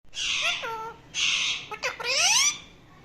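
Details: Indian ringneck talking parrot making different sounds: three harsh, buzzy squawks, each closing in a clear tonal note that drops then levels, the last rising and sliding upward, in a quiet room.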